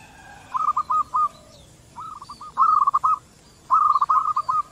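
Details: Local zebra doves answering one another: short bursts of quick, clipped rolling coo notes, some phrases fainter and some louder, repeated in groups over a hissy background.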